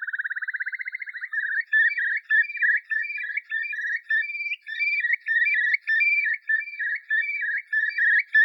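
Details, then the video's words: A Eurasian curlew (Numenius arquata) in Ireland singing its haunting song: a rapid, rising bubbling trill, then clear, fluty whistled notes repeated about every half second against a quiet background. "The Curlew & its haunting song"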